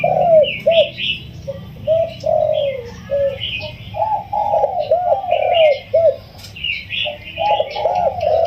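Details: Spotted dove, a wild bird caged for 16 days, delivers a full yon kuk diao crow, soft-voiced and pleasing. Mellow, hooked coos repeat in quick groups of two and three. Chirping from other birds sits high above.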